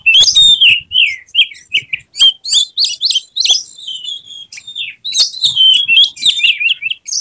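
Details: Oriental magpie-robin spreading its tail in an emotional display, delivering a lively full repertoire of loud whistled notes, fast warbling runs and sharp chips, sung almost without a break.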